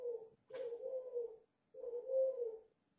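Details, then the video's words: Five-month-old dove cooing fiercely in captivity at Ba Vì, Vietnam: two drawn-out, low, steady coo phrases, the first ending and a second starting after a brief pause, with a short click in between. "chim cu 5 tháng gù hơi máu lửa"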